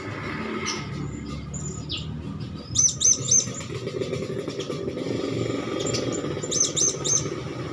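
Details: Young hand-fed blue-crowned hanging parrot gives sharp high-pitched chirps in clusters of three, spaced several seconds apart, with scattered fainter squeaks and steady traffic-like background noise.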